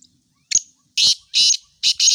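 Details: Black francolin giving a harsh, loud call. One short burst is followed by three longer rasping, buzzy bursts. The bursts are separated by brief silences and repeat about every half second.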